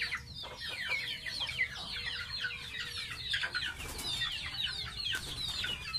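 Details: Baby pet domestic goose taking a bath: dense, overlapping high peeps sliding downward, repeated rapidly and continuously, with a faint low hum underneath.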